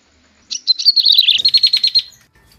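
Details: Bar-winged prinia lure call, used to attract prinias: a bright, high, chattering burst, a quick run of about a dozen sharp repeated notes lasting under two seconds, with no other sounds.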